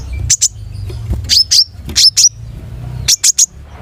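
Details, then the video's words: Long-tailed shrike singing in 'gacor' style with a rich repertoire: a few short, high, slurred squeaky notes in pairs and triplets separated by brief pauses over low background noise. "SUARA KONIN GACOR MATERI MEWAH"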